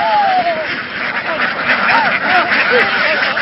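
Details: Laying ducks in Vietnam, a flock being driven over fields and aboard a boat, calling loudly: a long drawn nasal note opens, then rapid overlapping quacks, roughly two or three a second, amid steady noise.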